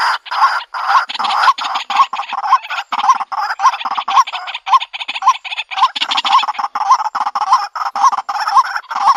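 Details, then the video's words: White-breasted waterhen calling, used to lure birds into a trap in the country: fast, harsh, overlapping croaks with hooked rising notes repeated roughly twice a second, dense and raspy throughout. "Bird Sounds White breasted Waterhen Bird ( Water Cock Soun)"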